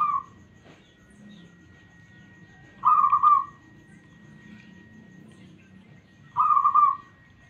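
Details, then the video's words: A local Zebra dove, whose song is offered as a lure for trapping doves, gives soft, rolling purred coos, each phrase about a second long, repeated every three to four seconds over a low background rumble. "PERKUTUT LOKAL SUARA MULUS"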